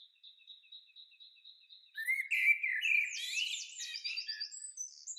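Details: A Common Blackbird sings at a fishing lake during an overnight stay, a low fluty warbled phrase breaking into a high squeaky twitter, preceded by another bird repeating thin, high notes.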